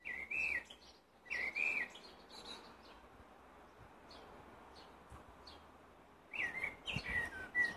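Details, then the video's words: Blackbird song in short fluty, wavering phrases at the start and again near the end, separated by a pause filled with steady low background hiss and a few faint distant chirps. "Black bird singing"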